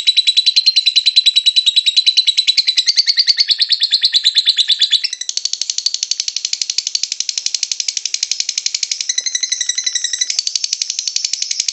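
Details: Extended lovebird ngekek chatter, used to encourage other lovebirds to sing: a nonstop stream of rapid, shrill, rattling notes lasting the whole stretch, changing slightly in tone midway.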